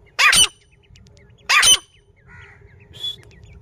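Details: Female grey francolin in Pakistan, filmed in a hunting setting. Two loud, harsh, screechy bursts about 1.3 seconds apart, each short and rich, then fainter chirping notes and a quiet background hum.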